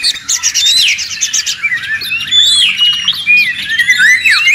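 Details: Oriental magpie-robin in loud, noisy song used as training audio for songbirds: a rich stream of high whistled slurs, sharp chips and quick rising and falling notes, almost continuous and varied, with no other sounds.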